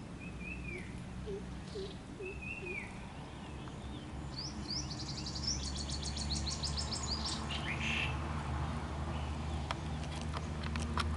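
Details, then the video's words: Black drongo (Dicrurus macrocercus) family: a juvenile begs parents for food with a rapid run of high, harsh, ringing notes and scattered upslurred whistles over a steady low background rumble. "Black Drongo Family also Juvenile demanded food to Parents"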